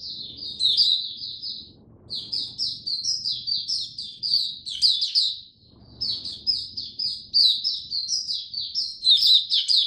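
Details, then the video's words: Caged oriental white-eye, fed a diet adjusted for cold rainy weather, singing three long runs of fast, high, slurred twittering notes with brief gaps and soft low background noise. "Mata Puteh Buka Sing"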